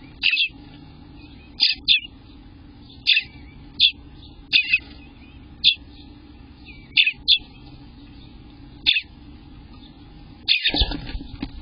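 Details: Eastern bluebird nestlings on day 18 in the nest, June 24th, 2021, sounding sharp, raspy high chirps singly or in pairs every one to two seconds, ending in a rougher burst, with a steady low hum.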